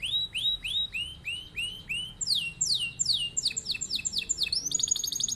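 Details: Canary singing a long rolling song meant to teach other birds by imitation. Series of arching whistled notes, then sharp falling slurs, ending in a rapid high metallic trill; quiet background.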